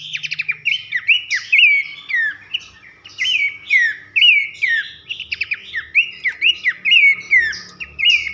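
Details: Pelanduk semak babbler delivering a loud whistling song for masteran training of contest birds: continuous chain of sweeping down-slurs alternating with bright upward notes, nearly unbroken over the whole stretch, quiet background.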